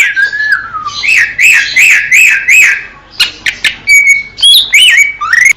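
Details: Wild greater green leafbird from Indonesia singing a varied phrase: a long level whistle, then a string of looping, wavering notes, followed by sharp chips and rising and falling whistles over a faint low background hiss.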